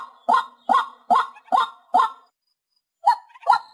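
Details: White-breasted waterhen used as a hunting call: five harsh, honking notes in quick, even succession, then a pause and two more similar notes.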